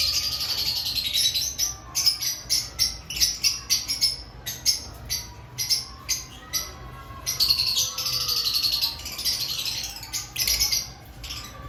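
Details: Lovebirds in an aviary before breeding season, a steady chatter of rapid, shrill notes repeated many times, with longer buzzy stretches of overlapping calling.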